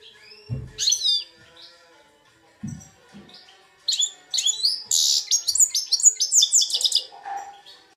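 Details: Goldfinch x red siskin hybrid, aged two, kept in Belfast, starting with scattered high chirps and soft thumps, then building into a dense, fast twittering and trilling Algerian goldfinch-type song, closing with a lower buzzy note.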